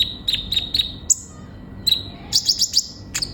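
A sunbird gives quick, thin, high chirps and sharp ticking notes in short bursts of three to five, with brief pauses between them.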